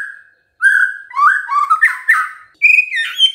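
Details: White-rumped shama song of mellow whistled notes, some held and some slurring downward, with a warbling middle section and a higher clear whistle at the end.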